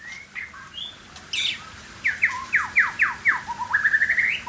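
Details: Aceh white-rumped shama singing short whistles, a harsh burst, then a row of about seven sharp downslurred notes and a fast rising trill.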